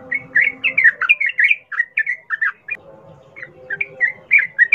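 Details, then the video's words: Sooty-headed bulbul singing in the wild 'ngalas ropel' style, used as a lure to get captive birds singing: quick bubbling, chattering phrases of short warbled notes, some pauses between bursts, over a faint steady hum. "Trucukan gacor NGALAS ropel Khas alam liar ini ampuh untuk pancingan trucukan agar bunyi GACOR"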